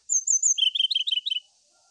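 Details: Brown-chested jungle flycatcher song aimed at finding a rival: three high, thin, wavering whistles, then a rapid series of lower, slurred, rising-falling notes delivered in quick succession.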